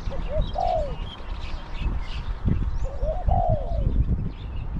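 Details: Caged spotted dove used in decoy trapping against wild birds, with a small-to-medium voice. Two cooing phrases: short rising notes, then a longer falling coo. Heavy low rumbling and thumping noise lies underneath.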